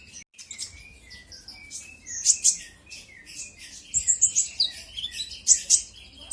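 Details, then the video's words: Konin, or kolibri ninja sunbird, singing to provoke a rival bird. Soft lower chips and slurred notes lead into sharp, bright high tweets repeated in quick groups. "Pancingan burung konin kolibri ninja auto gacor"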